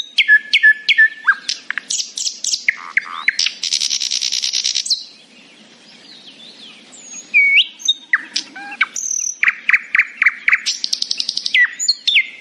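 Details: Nightingale singing in the morning: varied phrases of repeated sharp notes, a dense buzzy rattle at about four seconds, a short pause, then rapid staccato runs and clear whistled notes.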